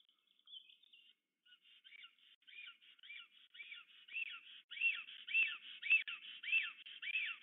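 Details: Black stork pair at their nest near Łódź, Poland, on the evening of 8 April 2022, greeting and courting after the male arrived the day before and the female that morning: high whistled notes that sweep downward, about twice a second, growing louder.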